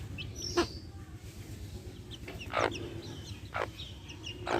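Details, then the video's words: Backyard hens cluck loudly, with broad harsh calls roughly once a second, among faint high chick peeps and low continuous background noise. "Adorable backyard hens with chicks making adorable sounds!"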